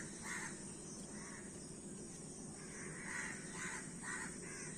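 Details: Several crows caw at moderate distance, short rough notes in scattered pairs and triplets, fainter against a constant background hiss.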